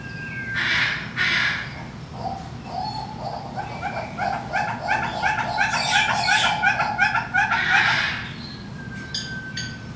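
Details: A male red-billed hornbill in the Saint Louis Zoo Bird House gives a fast, steady run of hollow clucking notes, about three each second, over a low background murmur and a few brief squawks from neighbouring birds.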